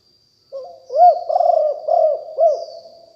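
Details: Spotted dove of a fierce strain, recorded as a decoy call in 2021: a rising lead-in, then four arched, hollow coos in quick succession, each swelling and falling, over a faint high hiss.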